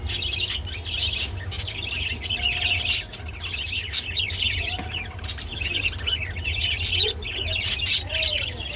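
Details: Rainbow budgerigar feeding on water spinach (kolmi shak), giving a continuous chattering warble of quick chirps and harsh squeaks with brief pauses, over a constant low background hum.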